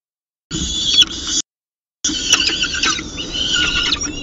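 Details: Peregrine falcon at the nest with its second meal on a November morning at 9:53: harsh, loud, grating wails in two bursts, the second drawn out and ragged, with knocks and scraping around the nest.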